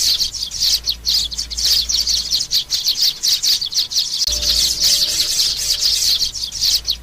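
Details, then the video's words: Young sparrows in a recording used to lure birds down onto glue traps: dense, high, scratchy chirps repeated rapidly without pause, with a faint low hum underneath and a brief tonal hum near the end. "tiếng chim sẻ non"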